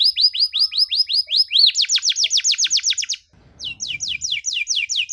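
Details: Canary song as a model for young canaries learning to sing: long run of regular, rapid rising-falling whistled notes, a short pause with faint noise, then the same notes resume.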